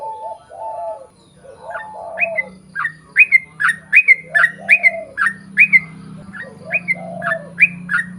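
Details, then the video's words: Sooty-headed bulbul in full, long rapid song, used as a lure to get other bulbuls singing back: rows of sharp whistled notes dropping in pitch, close together, with a lower warbled cooing phrase and a faint low hum underneath. "KICAU SUARA trucukan gacor ROPEL PANJANG pancingan trucukan agar bunyi MENJADIKAN trucuk gacor NYAUT"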